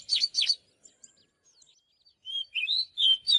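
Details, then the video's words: Oriental magpie-robin song for training birds: two harsh rasping notes, faint scattered chips, then a series of rich rising and falling whistles. "เสียงนกกางเขนบ้านหรือนกบินหลาขี้ควายใต้ [ Mới nhất ] Chòe than HÓT CỰC ĐÃ || Luyện chòe than hót"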